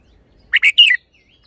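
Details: Red-whiskered bulbul showing off its song phrasing: a single compact phrase of three quick, bright, warbling notes, the last one longer and slurred downward.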